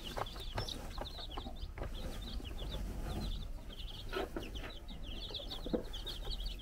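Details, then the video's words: Baby chickens, four days old, chirping as they run about a Czech farm while the brood hen watches; quick high-pitched peeps in clusters, steady chatter of several chicks over a low rumbling background. "Our New Cute Baby Chickens Running Around and Chirping"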